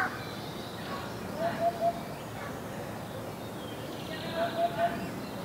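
A Eurasian hoopoe gives soft, low triple hoots, 'oop-oop-oop', repeated about every three seconds over a steady background hiss.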